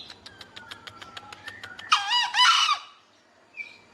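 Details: Green junglefowl calling actively: a harsh, rasping two-part crow after a series of rapid clicking ticks, followed by a faint higher note from another bird.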